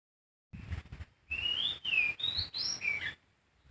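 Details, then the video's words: Wild sooty-headed bulbul singing: a run of clear whistled notes, some rising and some dipping, delivered rapidly over about two seconds, with low rumbling background noise. "Kicauan burung poci di alam bebas"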